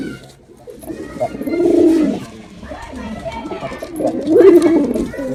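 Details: Male pigeon in a performance display, uttering two drawn-out throaty coos about two and a half seconds apart amid soft background noise.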